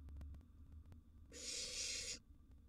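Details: A wild barn owl nestling, in a nest box during a meal of a large gerbil, lets out a single harsh, breathy hiss lasting under a second after faint low rumbles.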